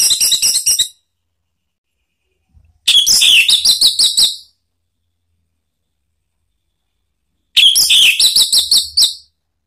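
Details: Orange-headed thrush song used to provoke another thrush into singing: loud bursts of rapid chattering, fluty notes with rich harmonics, each burst lasting one to two seconds with silent gaps between.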